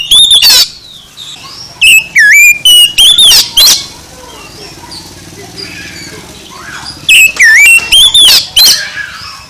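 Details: Oriental magpie-robin song played to rouse a sluggish bird: two bouts of loud rasping squawks and curling whistled slurs, the second after a quiet stretch with faint chatter in the background.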